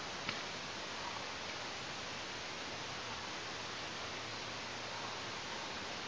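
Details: Even static-like rushing noise throughout, with a faint low hum and no animal calls.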